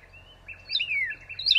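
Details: Northern cardinal giving brief, clear slurred whistles that swoop down and then rise again, in a short bright phrase.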